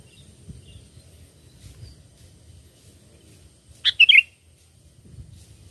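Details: Sooty-headed bulbul song played as a lure for catching birds: one quick, bubbly whistled phrase of three notes, with faint low rumbling noise before and after.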